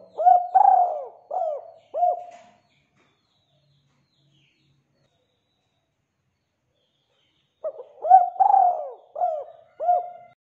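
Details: Spotted dove cooing steadily, meant as a lure to make other doves call: a phrase of three or four mellow, low coos, a long silent pause of about five seconds, then a similar phrase repeated.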